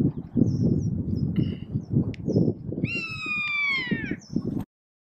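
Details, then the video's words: A rough-legged buzzard alarming at Abisko, Sweden, in July 2023 gives one long, mewing, downslurred scream of about a second and a half, over steady low rumbling wind or handling noise. "Rough-legged Buzzard alarming"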